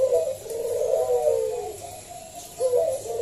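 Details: Loud local zebra dove used to prompt other doves to sing: a sustained, rippling stretch of cooing notes, fading briefly before another coo starts.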